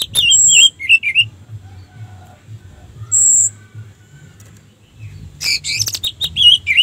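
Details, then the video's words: Orange-headed thrush song played as a lure for other thrushes. Short bursts of looping warbled notes and a high thin whistle open the clip; a long hush follows, then another spell of fast, scratchy warbling. "suara Anis merah untuk pancingan"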